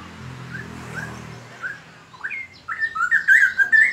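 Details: Straw-headed bulbul singing loudly and melodiously: soft scattered notes over a low rumble give way to bright, liquid whistles that rise and tumble into a rich, bubbling warble that grows louder toward the end.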